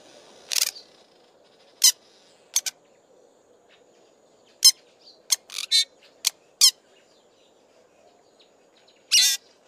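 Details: A male fork-tailed drongo (Dicrurus adsimilis) sings loudly, giving harsh, scratchy notes and sharp clicks in irregular bursts a few seconds apart, and softly mimics other birds between them, against a quiet outdoor background.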